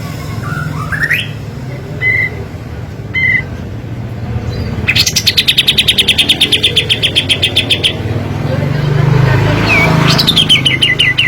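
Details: Kapas tembak, a lure recording with steady low traffic hum behind: a few rising whistles, then a three-second run of rapid sharp notes, followed by another sweeping whistle.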